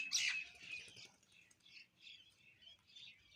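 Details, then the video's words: Feeding sparrows: one loud, sharp chirp opens, followed by softer, repeated high twitters over a faint low rumble. "eating Sparrow Chirping Sound | Sparrow Birds Eating Food Chirping"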